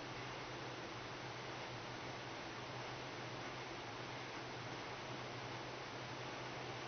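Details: Only a steady, even hiss with a faint low hum runs throughout, and no animal can be heard.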